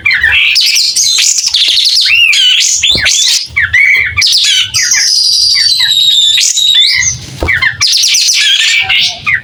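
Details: White-rumped shama singing keenly and opening its tail, clear voice; flowing whistles, sharp upslurs and a long high sustained trill, with brief pauses between phrases.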